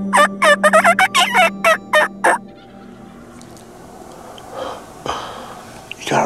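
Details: A male Wild Turkey gobbler, heard during turkey season on an Oklahoma ranch, gives a loud, rapid, rattling gobble of about ten quick notes over two seconds from the nine o'clock direction, closer than other gobblers; faint rustles follow.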